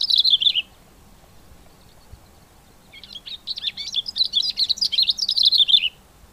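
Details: A male Cape grassbird sings at the start of the breeding season in September (spring): a brief high twittering phrase, then after a pause a longer run of rapid, scratchy, jumbled notes rising and falling in pitch.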